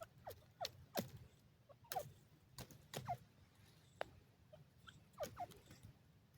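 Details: Grey francolin, called teetar, calling for love: scattered brief upswept whistled notes, some doubled, mixed with sharp clicks and taps over low background hum.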